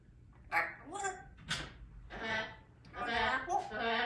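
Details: A baby African grey parrot, female, practising her words in the morning, talks in four or five short speech-like bursts with a hoarse, human-sounding voice, broken by brief pauses in a quiet room.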